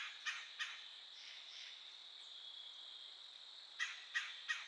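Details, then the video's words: Woodpecker calling: two sharp, abrupt notes, a pause, then a quick run of three more, set against a constant high buzzing of insects. "Yearling doe and a woodpecker calling."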